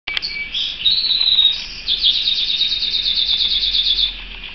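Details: Pet canary singing: a continuous high warbled song with a long rolling trill of rapid repeated notes, bright and buzzy throughout, with faint background hum.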